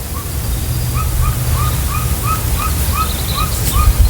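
A golden eagle gives a run of about ten short, thin, upslurred yelps, roughly three per second, over a low steady rumble.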